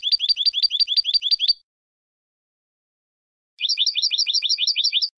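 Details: European goldfinch song for training birds for song contests: two bursts of rapid repeated twittering notes, each phrase about a second and a half, separated by silence.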